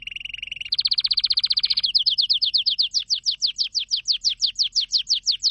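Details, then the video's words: Canary singing a rolled song: a steady trill near the start, then a rapid buzzy roll, then a run of repeated descending whistled notes, several per second. "Canary singing"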